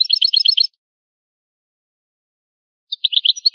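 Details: Rare old recording of European goldfinch song: a quick burst of bright, jingling twitters, a pause of about two seconds, then a second rapid tinkling phrase. Background is silent.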